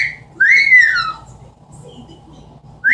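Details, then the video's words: Female pet Amazon parrot mimicking at home: one bright whistle swooping up then gliding down, a pause, then another rising whistle starting at the end. "The many sounds of an amazon parrot."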